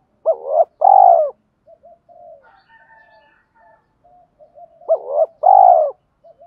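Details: Spotted dove calling to lure wild birds during decoy training: a loud coo phrase of a short bent note and a long throbbing falling note, repeated about four seconds later, with soft hums between.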